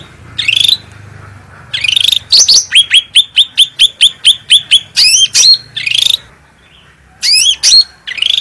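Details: Bulbul (cucak rante), a lively singer with a clear, strong voice, on a training master recording. Buzzy phrases lead into a fast series of about a dozen sharp repeated chips, then rising whistled notes and more buzzy trills.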